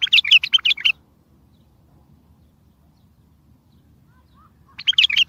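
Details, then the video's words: Bulbul song used to make other bulbuls answer, for trapping: a phrase of fast, warbling notes that opens the recording, a long quiet gap, then another phrase beginning at the end. "اصوات بلابل تغريد بلبل قوي ينطق الاخرس كذلك للصيد البلابل الاخرى يجيب البلابل البعيده"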